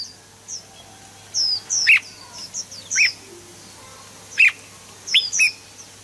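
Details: Red-whiskered bulbul, its song played to rouse birds into singing. Sparse, sharp whistled notes come singly or in pairs, mixed with soft high-pitched chirps between them.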